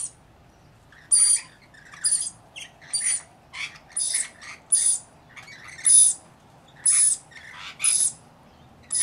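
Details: Harsh, grating screeches from rainbow lorikeets at bathing and feeding time, about ten bursts, each coming roughly once a second, with brief chattering notes between.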